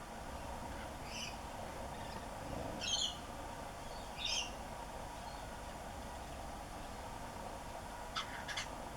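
Superb Parrot giving a few short, harsh, chattering calls at irregular intervals, over a steady background hiss.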